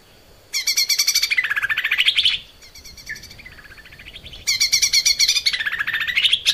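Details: Lesser green leafbird song meant for training caged birds: a long loud run of rapid buzzy notes that dips and rises, a quieter middle with faint chatter and a slurred note, then a second loud rapid burst.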